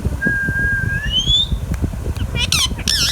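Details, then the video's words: Baby green Indian ringneck parakeet kept as a pet: a long steady whistle and a rising whistled sweep, then two harsh, layered squawks near the end, over steady low background hum. "Indian Ringneck Parrot Talking natural sounds | Bolne Wala Tota | Green Ringneck Parrot Sounds"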